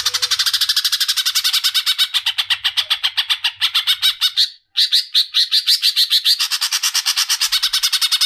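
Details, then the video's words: Female greater green leafbird calling the male: a long, fast run of harsh, buzzy notes at about five per second. A short break comes near the middle, then rising chipped notes follow. "Suara Cucak Ijo Betina Memanggil Jantan"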